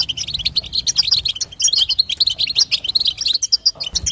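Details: Female European goldfinch chatter used to prompt a male to sing: rapid high tinkling notes in close bursts, barely pausing, with slight background hum at the start and end.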